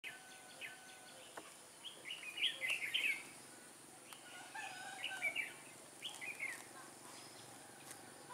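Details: Red-whiskered bulbul fighting song during trapping with a caged decoy bird, in Vietnam on 21 October 2017; bright warbled phrases in short bursts around two to three seconds apart, with faint background noise outdoors.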